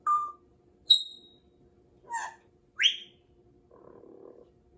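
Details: Pet grey parrot giving four short separate whistled notes: a flat mid tone, a high clear whistle, a lower buzzy note, then a sharply rising sweep, followed by a soft low murmur, with music before and after.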